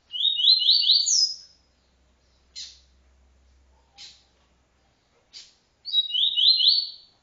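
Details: Double-collared seedeater, TuiTui-style encarte song: a rapid run of rising buzzy notes ending on a high slur, three isolated sharp chips, then the stepped phrase repeated; quiet low hum briefly in the background.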